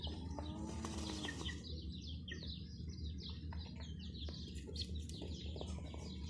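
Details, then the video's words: Domestic chicks cheeping with a hen: short, high, downward-sliding peeps repeated quickly and overlapping, over a steady low electrical hum, with some broad rustling noise in the first second and a half. "Witty Hen Murgi Baby "Chicks Chirping" Sound"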